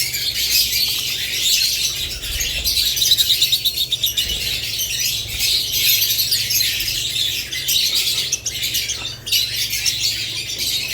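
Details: Budgerigars, with lovebirds also named, twittering in a busy group; a series of rapid, evenly spaced sharp notes sounds between three and four seconds over the steady high chatter.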